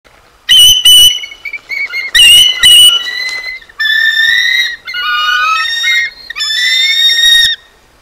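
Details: Bald eagle at the Decorah North nest on 23 January 2024, the female eating a frozen meal the male brought in. Loud, high, thin whistled notes with rich overtones come in chittering bursts and longer wavering phrases across about seven seconds.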